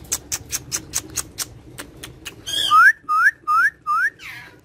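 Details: Speaking pet parrot after a string of soft rhythmic clicks delivers a slurred descending note and four loud rising whistles roughly every half second.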